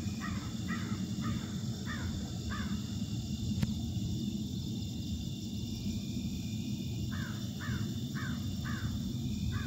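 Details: Crows harassing a new male, August 4, 2024, 8:54 PM: two series of five evenly spaced, hoarse caws separated by a pause, half-buried under a loud low rumble and constant high insect drone.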